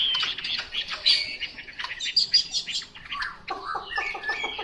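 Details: Chinese hwamei song in a fast, tumbling flow of mixed chirps, buzzy notes and thin high whistles, briefly breaking before resuming with brighter repeated phrases.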